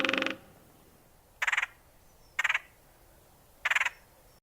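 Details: Red-headed Woodpecker in Missouri, a bird of open woodland with few understory plants. It gives harsh, grating churring bursts, each under half a second, repeated about every second, with a mad, screechy quality.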